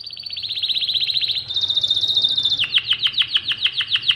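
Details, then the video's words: Mosaic canary singing: a fast pulsed trill, a smooth high rolling note, then sharp downward-swept chips repeated about four times a second. "تغريد كناري الموزاييك"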